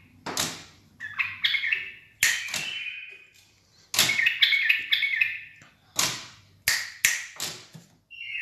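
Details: Bulbul giving loud, harsh bursts mixed with clear whistled notes and a brief warbling phrase, in uneven spurts separated by short pauses.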